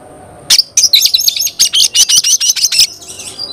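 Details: Oriental magpie-robin singing a quick series of about a dozen sharp, repeated chip-like notes, evenly spaced, after one loud opening burst, then a soft fading trill.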